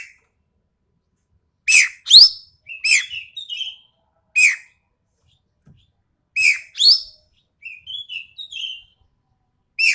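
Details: Sumatran common green magpie with a sharp, coarse voice: loud grating squawks and rising rasping notes in irregular bursts, mixed with softer twittering phrases, over about ten seconds.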